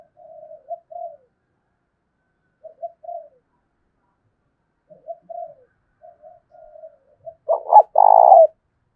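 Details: Spotted dove used as a decoy, goading rivals to fight in thổ đồng style; a series of soft, short low coos spaced a few seconds apart ends in a loud, rough, buzzing drawn-out coo.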